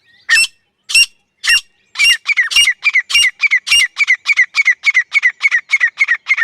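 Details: Female grey francolin calling: a few slow, harsh, ringing notes, then an accelerating run of rhythmic squawking phrases repeated nearly twice a second, loud and clear over a silent background.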